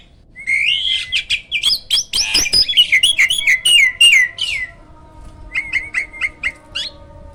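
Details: Hybrid jalak (myna), a champion master bird for training others: a dense run of rapid whistled slurs and chirps, then a quieter series of short repeated chirps.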